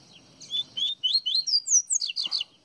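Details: Baiano-style singing from a Pernambuco double-collared seedeater: a fluent string of high slurred whistles climbing in pitch, followed by a fast trill-like cluster of rapid notes, with a faint low hum underneath.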